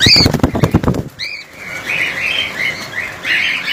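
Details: Cockatiel colony with loud wing flapping at first, then a sharp rising squawk followed by a run of warbling chirps from several birds.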